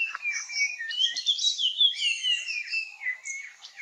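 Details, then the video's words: Singing puff-throated babbler in the Nilgiris of India, dancing in a mating display; high whistled notes slide downward and tumble together with rapid chirps, forming an unbroken, jumbled twittering phrase with no other sounds. "Puff Throated Babbler - Singing and dancing"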